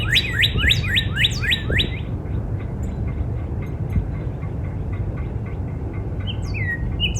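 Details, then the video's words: Northern cardinal singing in a backyard in spring: a quick run of about six slurred, sweeping whistles in the first two seconds, then quieter, with two more drawn-out whistles near the end over a low steady rumble. "Real Natural Spring Cardinal Bird Sound"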